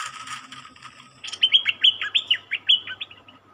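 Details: Captive-caught cream-vented bulbul in a cage, song of about ten quick clear notes, each starting high and sliding downward, delivered in a rapid chattering run over roughly two seconds, preceded by faint softer chirps and a steady low hum.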